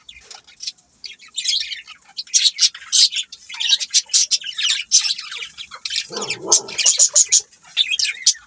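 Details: Several budgies chirping together, a dense chatter of short high squawks and warbling notes in rapid bursts, with a brief lower rustle near the middle.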